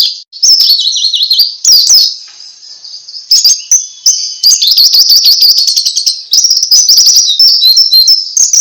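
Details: High, busy ngalas song from a pleci (white-eye), used to coax other birds into song: wavering trills, squeaky slurs and fast chattering runs with almost no pauses.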